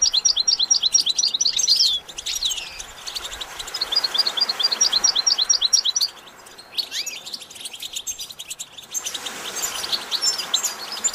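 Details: Goldfinch singing for song-training practice: rapid bursts of high, repeated chirped notes in runs of a second or two, broken by short pauses and a sweeping twitter, over a faint hiss.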